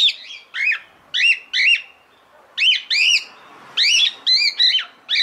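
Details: Calling female cockatiel, in heat and seeking the male, repeats arched, ringing chirps about twice a second. Notes come singly or in quick pairs, with overtones stacked high above each one.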